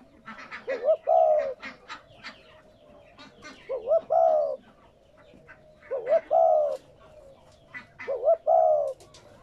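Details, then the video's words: Repeated cooing of a spotted dove, meant to stimulate captive doves: four phrases roughly every two and a half seconds, each a brief rising wavering note then a long low coo, amid scattered chirping. "Tiếng Chim cu gáy kích bổi mới"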